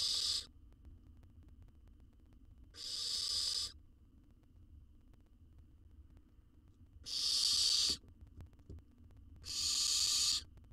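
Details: Wild owl nestling in a research nest box in Israel, filmed by camera while being fed a jird: four harsh, breathy hissing bursts, each under a second, spaced irregularly, over a faint low hum.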